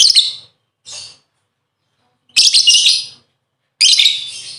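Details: Lovebird lure sound meant to stimulate other birds to sing: four harsh, buzzy, shrill chattering bursts, two short ones and then two longer, louder ones, separated by silent gaps.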